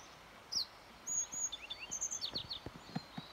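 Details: Yellow bunting song recorded 29 May 2021, a brief phrase of sharp high whistles and descending slurred notes, with faint low knocking sounds underneath.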